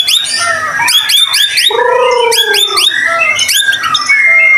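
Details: White-rumped shama in lively song meant to trigger other shamas to sing: quick high sweeping notes, a deep mellow whistle that falls slowly, then clear medium whistles and fast buzzy flourishes.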